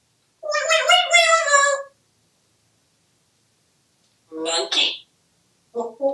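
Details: Pet male African grey parrot, hatched 1997, living in a home in Texas, talking: a long harmonic utterance of about a second and a half, then after a pause two shorter speech-like bursts, in an indoor room.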